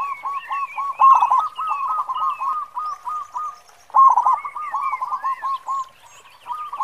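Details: Zebra dove of a local strain in full song with a big 'khong' voice, delivering steady runs of quick, bubbling coos, with louder bursts roughly every three seconds and scattered thin, higher twitters from other birds.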